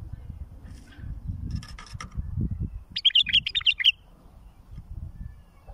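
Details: Bulbul song for teaching fledglings: a brisk phrase of around seven bright, bubbling whistles lasting under a second, preceded by scratchy rustling and accompanied by low thumping noise.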